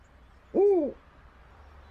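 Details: Snowy owl gives a single booming hoot, the call males make in breeding season to attract females: low and hollow, swelling, arching slightly in pitch and fading within half a second, over quiet background.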